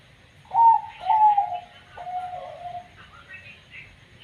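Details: Zebra dove (perkutut) of the banyu mili katuranggan type, said to have an unusual voice: three clear, slightly falling coo notes about half a second apart, the last longer and lower, then soft faint chirps in the background.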